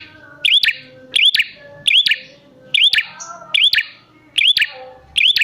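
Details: Prinia lure recording for drawing wild prinias into calling: sharp clicking notes, each joined to a bright upswept whistle, repeated about every three-quarters of a second, with faint low tones behind.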